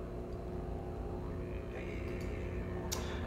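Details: A steady low droning hum, like a didgeridoo or engine, fills the clip with a brief hiss near the end and no animal voices.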